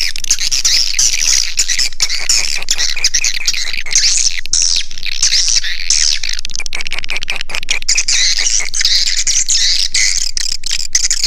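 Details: Swiftlet calls played to attract swiftlets to a nesting house: dense, continuous high twittering and buzzy chirps, rapid and overlapping, with brief clicking breaks, sustained without pause throughout.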